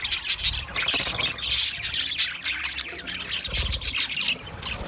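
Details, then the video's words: Green budgies chattering: busy strings of grating squawks and short chirps, pulsing bursts with brief lulls, low knocks heard in the background. "Green Budgie sound sound of Budgie birds"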